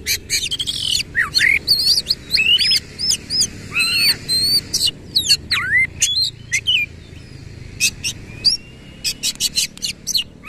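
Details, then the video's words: Kacer, or Oriental magpie-robin, singing lively 'isian kasar' with tail opened: long stream of loud chirps, swooping whistles and harsh bursts, delivered in rapid pulses with brief gaps throughout. "KACER GACOR BONGKAR ISIAN KASAR BUKA EKOR"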